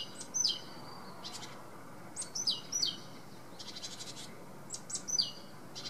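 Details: Great tit (Parus major) song: sharp, high, down-slurred notes, some in quick pairs, spaced a couple of seconds apart, over bursts of hissy rustling.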